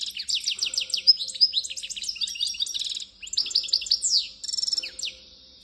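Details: European goldfinch (Carduelis carduelis) from Constantine, Algeria, sings a fast, tinkling twitter of liquid chirps, buzzy trills and bright rising notes in quick bursts with barely a pause.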